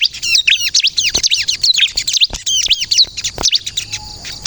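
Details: Bar-winged prinia (ciblek kristal) in full song for luring and provoking answers: rapid high chirps and descending slurred notes in a busy flow, tailing off near the end; a faint steady tone follows.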